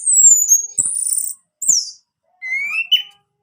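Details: Caged orange-headed thrush song played to prompt a male to sing: high whistled phrases, a long descending slur near the top, then a rising whistle with faint overtones after a short pause.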